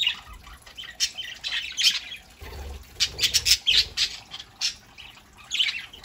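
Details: Several pet budgerigars chattering on a Saturday morning at home: quick, bright warbled chirps and harsh squawks in rapid bursts, loud and busy, with a soft low rumble around the middle and a faint high whine.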